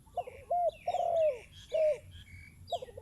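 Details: Spotted dove with a decoy bird, cooing in short and long mellow notes, the longest sliding down at its end. Other small birds chirp higher in the background.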